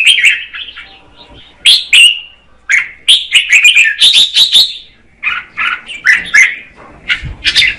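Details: Red-whiskered bulbul female singing to excite a male, giving bursts of bright whistled and chirped notes in short clusters separated by brief gaps.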